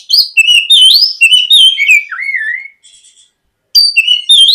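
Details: Singing White-rumped shama as a lure for a young bird: a fast continuous stream of looping whistles gliding downward over two seconds, a faint pause, then the song resumes with bright high notes.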